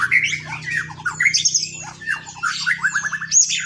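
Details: Song of a white-rumped shama used to set other shamas singing: harsh squawky notes mixed with quick slurred whistles and a short rapid rattle, delivered in a hurried, varied stream.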